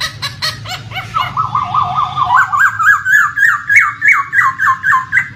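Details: Laughingthrush song used as a lure for a bird that has stopped singing: a brief harsh chatter, then a long run of quick hooked whistled notes, about three to four per second, rising slightly, with running water beneath.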